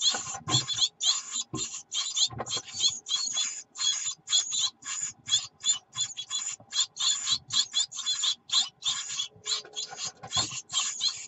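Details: Hungry Great tit chicks in the nest on 24 June 2019, begging as their mother delivers food: dense, continuous train of harsh, hissing high calls for over ten seconds, with occasional knocks and rustles.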